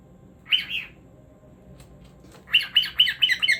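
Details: Domestic cockatiel giving harsh, buzzy chirps: a short double note, a quiet gap, then a quick series of about seven rasping chirps in close succession, with a low hum beneath.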